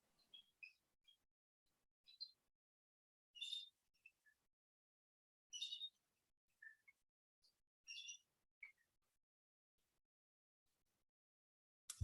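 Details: Bald Eagles at Great Swamp National Wildlife Refuge give thin, high chittering notes in three bursts with squeaky chips between; they call like this when an observer nears the survey site over 200 yards away.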